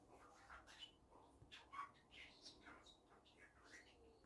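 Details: A pet budgerigar, filmed secretly while talking so it would not fall silent, chatters in a quiet, scratchy stream of mimicked speech sounds mixed with chirps and squawks.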